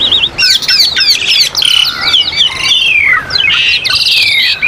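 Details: Asian pied starling song for training caged birds, against a mountain nature backdrop: harsh squawks, scratchy notes and long sliding whistles tumble together in a busy, unbroken stream with brief pauses.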